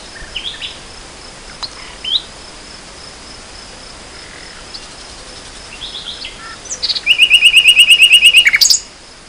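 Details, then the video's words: Nightingale song recorded in spring 2014: several seconds of faint, scattered high notes and quiet pauses, then a sudden loud, even trill of about fifteen fast repeated notes that ends abruptly. "Le chant du rossignol"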